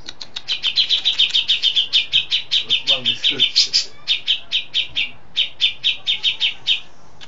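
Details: Settled, vigorously singing caged Cucak jenggot in a long-shot song filled with besetan, lovebird, sparrow and cililin: a steady, almost unbroken string of loud, sharp high notes, about four to five per second, with short pauses.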